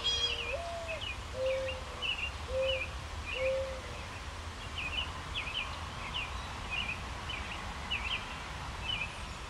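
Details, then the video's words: Soft, low cooing of a mourning dove in a maple tree: a swelling first note, then three short level hoots, after which another bird's quick chirping phrases carry on alone. "Mourning Dove Cooing in a Maple Tree"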